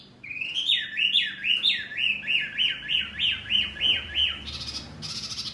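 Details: Tutor bird song (masteran) aimed at Murai, Kacer, Cucak Ijo and Jalak: about twelve looping, whistled notes in steady rhythm, each dipping and rising, followed by harsh noisy bursts, over a low background hum.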